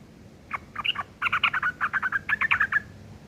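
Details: Sooty-headed bulbul giving a rough ngeriwik chatter used as tutor material for long-tailed shrikes: a rapid, harsh burst of clipped notes, a few opening calls, then a dense run of about fifteen chattering syllables over a quiet background.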